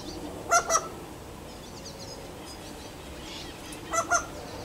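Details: Wild bird, not used to humans, coming closer to a person offering food; two pairs of short, honking, harmonic notes, one pair near the start and another near the end, separated by quiet with faint background noise.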